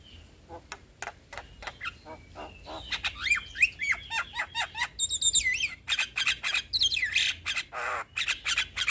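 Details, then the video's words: Young Javan myna used as a song tutor for other mynas, pouring out rapid harsh clicks and rasps that break into looping whistled slurs and chattering phrases, very busy and continuous. "Jalak Kebo Muda Gacor Untuk Masteran Dan Pancingan Semua Jenis Burung Jalak"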